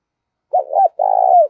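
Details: Spotted dove challenge call in the thổ voice style, used with decoy birds: a brisk double coo then a sustained, rough, low note falling slightly at its close, nothing else heard.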